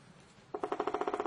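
A woodpecker gives a quick, even roll of about a dozen hard taps in under a second, after a moment of faint city background.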